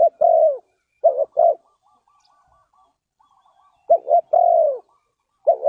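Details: Spotted dove in Ninh Thuận, Vietnam, in a bird-trapping context. Loud clipped and falling coos open and close the passage, and a faint rapid string of soft notes fills the quiet middle.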